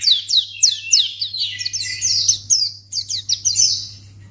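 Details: Short white-eye (pleci) lure phrase to trigger replies from other birds: crisp, sharply falling high chirps about every third of a second, then a blurred twittering run, a brief break and more chirps, over a low hum.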